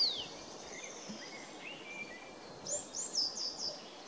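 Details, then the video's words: Tree pipit singing at Kuzawka on 23 April 2019; faint high thin descending notes early, then a loud run of sharp high-pitched repeated notes in the final second and a half, over quiet rural background. "Śpiewający świergotek drzewny"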